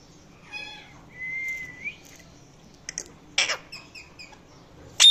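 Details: A talking Indian ringneck parrot producing varied sounds: a short harmonic chirp, then a long steady whistled note that lifts slightly at the end, followed by faint ticks, a burst of raspy noise and soft clicks.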